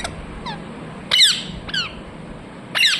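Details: A few parrot squawks with falling harmonics, a soft chirp early, then three louder harsh calls spaced about a second apart, over low hum.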